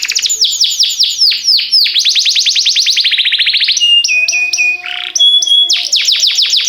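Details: Canary song for training canaries: fast descending whistled notes in rapid series, then a dense rising trill, followed by pure steady whistles and a short buzzy burst before the rapid sweeps resume.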